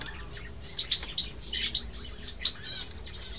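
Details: Two white-headed munias kept together with one hybrid white-capped munia x society finch give short, high chirps and thin tweets in a quick, irregular series, some overlapping, over a low, steady background hum.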